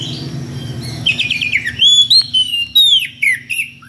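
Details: Oriental magpie-robin singing in the loud ngeplong style to call a rival, with unusual varied notes: clear slurred whistles that rise and fall, after a quieter opening, plus a low steady hum.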